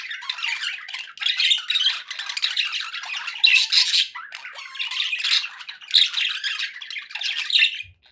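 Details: Contented budgerigars chattering nonstop, a busy mix of harsh squawks, grating notes and thin squeaks in rapid overlapping phrases, fading out at the very end.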